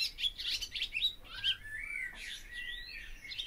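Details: Barn swallow giving quick chirps followed by long drawn-out slurred whistles that rise and fall.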